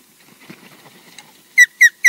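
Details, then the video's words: Osprey at a camera-watched nest at Loch Garten, Scotland, calling on and off: three loud, clear, slightly falling whistled notes near the end after a quiet stretch of faint scratchy sounds. "At last EJ turns up, calling"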